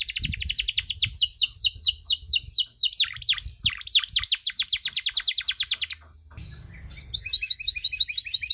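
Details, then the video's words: Canary delivering a long-duration cengkok-style song meant to provoke other canaries: rapid series of high, down-slurred whistled notes in fast trills, switching to a lower rolling phrase, then a brief pause and a buzzier, pulsed high trill. "KENARI CENGKOK DURASI PANJANG!! AUTO MANCING EMOSI KENARI LAIN"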